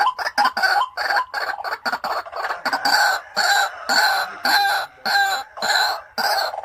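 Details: Caged white-breasted waterhen kept as a decoy, calling in loud harsh bursts, each about half a second long, of rough croaking notes repeated steadily with short gaps.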